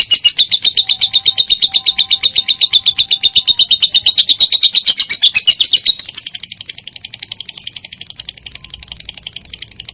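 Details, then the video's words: Lovebird 'ngekek panjang', konslet style, used to train songbirds such as cendet and murai batu: loud fast chattering notes for six seconds, then a quieter, buzzier rattle to the end. "MASTERAN LOVE BIRD KONSLET NGEKEK PANJANG"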